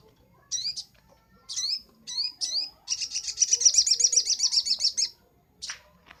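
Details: Master recording for training birds of a crimson sunbird (sogok ontong): several separate sharp, rising, high chips, then a rapid two-second trill of ticking notes and one last short buzzy note.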